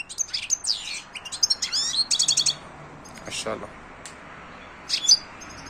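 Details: ['Silvestrismo European goldfinch twittering in quick high chirps and rapid trilled phrases, fading into quiet background noise before a final short chirped burst.']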